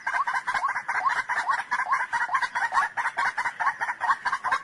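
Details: White-breasted waterhen producing a brisk, even stream of sharp, repeated notes, several per second, bright and slightly ringing.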